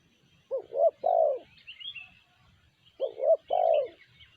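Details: Two clear cooing phrases from a spotted dove with sanji-style voice, each a pair of short rising hoots followed by a longer warbling coo, about two and a half seconds apart. Faint bird chirps above.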